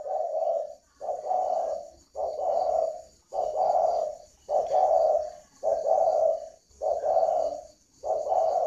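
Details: Caged spotted dove in Vietnam giving a steady series of low, hollow coos, each about a second long and repeated roughly every second with short gaps, with a faint high electrical hum behind.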